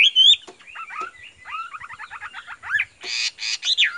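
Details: Caged Chinese hwamei with striking facial markings and glossy feathers, singing fast stuttering trills of descending notes, then harsh scratchy bursts and a loud curling whistle at the end.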